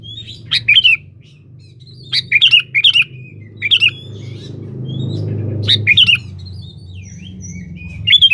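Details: Sooty-headed bulbul calling a rival, used as a lure: repeated quick, liquid chirping phrases of three to four notes, about five bursts with gaps of one to two seconds, plus soft high whistles and a low background rumble.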